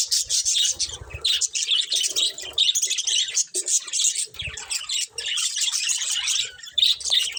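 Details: Pet budgies in lively chorus, a continuous mix of quick high warbles, chirps and squeaks for over seven seconds, with light rustling and a few soft thuds.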